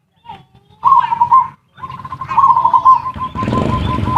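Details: Zebra dove lure sound in ngerot and kuwor styles for stimulating mating urge and lazy birds to sing: a soft note, then two phrases of fast rolling coos, with broad rustling noise at the end.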